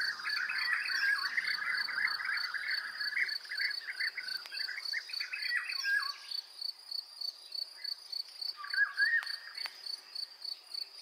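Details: European bee-eaters (Merops apiaster) in Iberian spring, newly arrived from migration and in breeding season, give a busy chorus of rolling, liquid 'prruip' notes, fading after six seconds, over a steady pulsing high insect trill.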